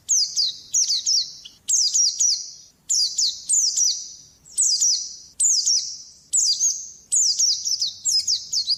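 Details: Champion white-eye repeating short high phrases of sharp downslurred chirps, about one burst every second, steady and clean with no other sounds.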